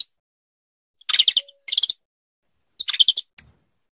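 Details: Saffron finch female calling a great deal to stimulate her mate for breeding, giving three bursts of dense rapid chatter followed by one sharp high chip.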